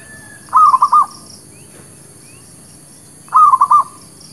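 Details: Lure song of a local zebra dove, used for trapping and for new birds: a pair of soft, stuttering coo phrases, each about half a second of four quick notes, separated by near silence.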